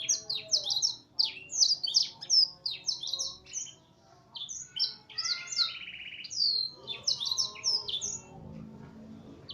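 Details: Actively singing F1 canary with song material learned from blackthroat tutor recordings. It delivers bursts of high, clipped, downslurred notes in fast clusters, broken by brief pauses, with a short buzzy trill in the middle. Faint steady hum behind.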